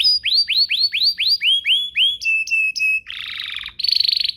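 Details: Canary song used as a lure to get other canaries singing quickly: a run of curved, sweeping notes about four per second, then short steady whistles and a closing buzzy, rolling trill.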